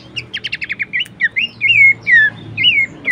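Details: Horsfield's babbler sound played to train and prompt caged songbirds: a quick run of about seven sharp chips, then a series of longer, clear whistles sliding downward, with a soft low hum beneath.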